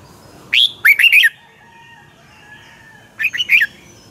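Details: Red-whiskered bulbul from Pa La-u, Thailand, singing in the 'double' song style. Two lively phrases, each a rising whistle and three rapid warbled notes, about two and a half seconds apart, with faint background hum.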